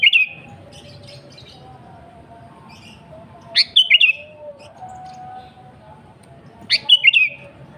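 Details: Energetic sooty-headed bulbul song played to draw out rivals and wild birds: brief liquid, chattering whistled phrases repeated roughly every three seconds, with faint steady background tones and low hum.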